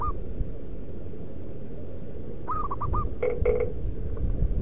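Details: Zebra dove from the wild, local stock, calling as a lure: a brief coo at the start, then a run of four or five rounded hooting notes, followed by a couple of dull knocks, all over low rumbling noise.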